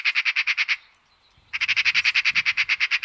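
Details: Eurasian Magpie (Pica pica) at a Russian forest edge gives a harsh, rattling chatter of rapid dry notes, about ten a second, breaking off briefly before resuming.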